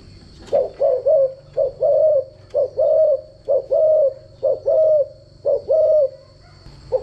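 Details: Spotted dove cooing as a decoy for voice training: repeated phrases of a quick low coo followed by a longer mellow coo, about eight phrases in seven seconds, with a faint constant high-pitched hum.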